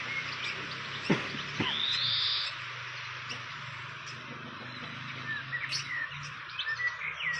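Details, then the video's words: Wild fantail near its nest: one clear rising whistle sweeps upward, followed by scattered soft chirps. A constant hiss of background noise and a faint low hum run throughout. "Indahnya Sarang burung kipasan di alam liar"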